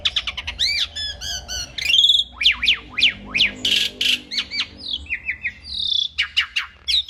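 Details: Asian pied starling singing vigorously, a training recording for songbirds: a fast run of varied whistles, sharp up-and-down sweeps, buzzy bursts and rising slurred notes, with barely a pause between phrases.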